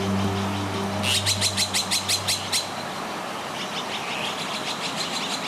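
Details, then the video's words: Azure-winged magpies nesting in a forest near houses give a collective predator alarm, a quick run of harsh rasping notes about six a second, with more birds joining, over a low musical hum. "물가치들의 경고 울음 소리가 퍼져 나갑니다."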